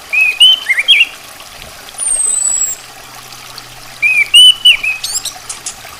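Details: Female orange-headed thrush (anis kembang betina) giving two bursts of clear whistled, slurred notes separated by a high thin descending whistle, with a soft trickling, water-like background.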